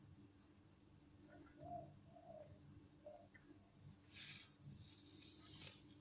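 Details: Spotted dove giving loud, clear low coos, three short hollow notes in quick sequence, followed by bursts of high-pitched rustling noise and a constant low hum in the background.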